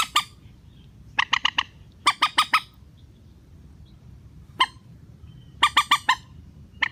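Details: Relaxed rail call played as a trapping lure to draw hard-to-lure birds down into nets: short clusters of loud harsh squawking notes, three or four per burst, with single isolated notes between, against low background hum.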